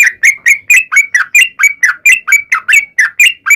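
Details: Sooty-headed bulbul in full song, used as a lure to make other bulbuls sing: a fast run of bubbly, liquid notes, each a quick downward-then-rising whistled phrase, repeated about four times a second without pause.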